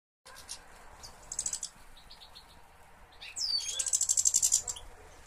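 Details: European goldfinch from a breeder's collection of European finches, recorded in 2013; brief high twittering notes, then a loud rapid buzzy trill of pulsed, tinkling notes lasting over a second, over faint background hiss.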